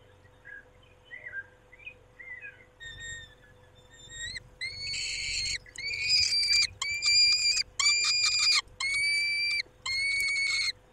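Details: Male peregrine falcon tending females at the nest, evening of 23 May 2021, 19:40: soft broken notes build into loud, drawn-out harmonic wails repeated about once a second, over a constant faint hum.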